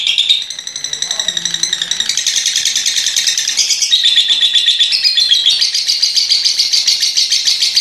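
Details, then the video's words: Ngekek chatter from a lovebird, an extended run of rapid scratchy high notes, nearly four per second, growing slightly louder and denser as it goes on. "lovebird paud ngekek panjang hampir 1 menit"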